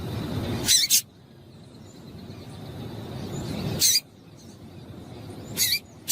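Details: Female double-collared seedeater call used to get a male singing: paired high, dry chips repeated about every three seconds, with low background rumble between them.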